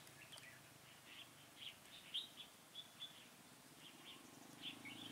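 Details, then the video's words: Red-whiskered bulbul used as a decoy, fanning its tail and singing to lure wild bulbuls into a trap, 1 November 2017; short bright whistled notes come in scattered bursts, some sharper peaks near the middle, over a steady low hiss. "Bẫy chào mào Xòe đuôi hết bản"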